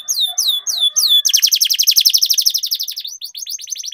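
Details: Canary song used to get lazy canaries singing: a few separate high sweeping whistles, then a dense rolling trill of rapid downward-slurred notes repeated several times a second, with faint low clicks.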